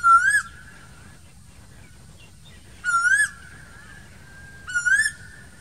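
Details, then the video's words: Asian koel calling in summer among green trees: three clear, whistled, rising notes spaced about two and a half seconds apart, each ending in a slight upward lilt, over a low steady background hum. "Summer Koel Bird sounds, asian cuckoo bird singing voice, koyal sound uhd, new koyal ki awaz"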